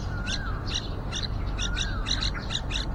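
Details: At a yellow-vented bulbul nest outside a window, with young close to fledging, loud squeaky chirps come in rapid paired bursts, about four clusters, alongside two short slurred whistles and low background hum.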